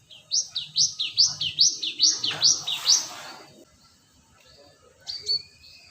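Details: ['Cinereous tit lure sound: a steady string of about eight bright, high two-note phrases, each dropping then leaping upward, repeated briskly for three seconds, then a faint short call near the end.']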